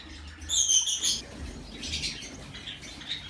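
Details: Fawn Java sparrows in a captive breeding colony, 2019: a quick run of bright, high chirping notes stacked in harmonics, then softer, scattered twittering and faint rustling.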